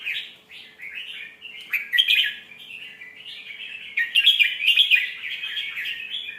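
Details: Red-whiskered bulbul, a Thai cage bird, singing a sweet song style used as a tutor to teach young birds: continuous bubbly warbled phrases, rich and slightly buzzy, rising and falling, with louder bursts near two and four seconds.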